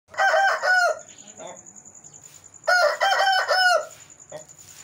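An Aseel rooster gives two hoarse, drawn-out crows about two seconds apart, over a thin, steady high whine.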